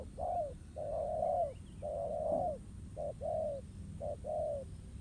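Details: Wild spotted dove coos at a trap decoy set on the ground in a fighting match; low hollow phrases of a short note plus a longer, gently falling coo, five times in a row over a quiet rumbling background.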